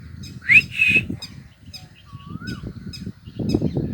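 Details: Female parrot calling her chick: a sharp rising squawk followed at once by a harsh buzzy squawk, then a soft short whistle rising and falling midway, over steady low rumbling background noise.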